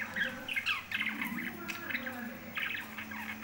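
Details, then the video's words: Lovebirds kept as pets make scratchy, chattering chirps and short squawks in rapid succession, with some faint background voices. "love birds kothai birds speaking"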